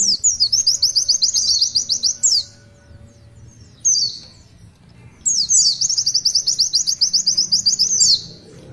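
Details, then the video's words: Oriental white-eye delivering its long tulitwitwit song in full cry. Two bursts of rapid, high, chattering trills about two seconds long, each ending in a falling whistle, are separated by quieter pauses with a single slurred note. "Tulitwitwit panjang pleci Gacor"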